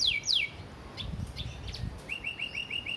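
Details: Canary master song for training in the Isian Gereja style: a few loud descending slurs, then fainter notes and a short run of repeated rising chips over background rumble.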